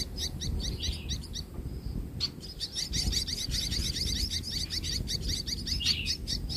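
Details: Evening scene of a mother sparrow feeding chicks before dark; thin repeated upswept chirps over a steady low rumble of background noise, with a brief pause in the chirping early on.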